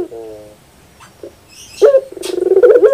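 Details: Barbary dove with a soft low hum, a quiet pause, then a burst into loud cooing that breaks into rapid throbbing pulses which keep rising in volume.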